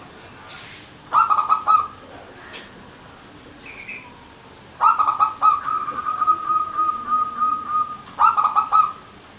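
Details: Zebra dove (perkutut lokal), a contest-trained songbird, in manggung song: three bursts of quick, rattling coo notes, with a long level whistled tone between the second and third bursts.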